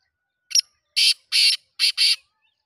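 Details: Black francolin giving one harsh, grating phrase of five notes: a short clipped opener, then two long rasping notes, a brief pause and two more rasping notes, all within about two seconds, against silence.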